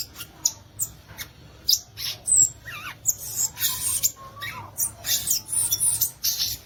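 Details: Violaceous euphonia song of crisp high chips and buzzy bursts, interspersed with a few lower wavering whistles in the middle of the phrase.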